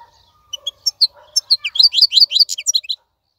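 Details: Wild-caught goldfinch kept in a cage gives a short, softer phrase of high sharp chirps that quicken into a tumbling twitter, ending abruptly after about three seconds.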